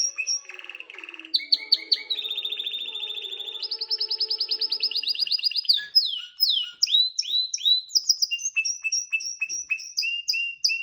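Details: Canary song to prepare the female for mating: a long, varied run of fast trills and rolled notes at shifting pitches, then bright, repeated chirps and sweeping whistles.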